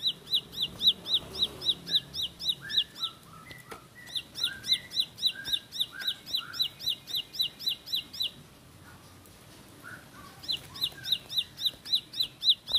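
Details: Bar-winged prinia (ciblek sawah or ciblek pari) in a fast rolling song with sunbird-style phrasing: sharp, high, down-slurred notes about four per second, a quieter stretch of lower warbled notes midway, then the rapid series again.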